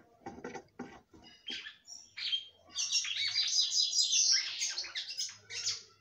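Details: Female red-cowled cardinal, a kept bird, singing a lot to stimulate the male: a few low buzzy notes, then a dense, continuous run of bright, high twittering and chattering phrases.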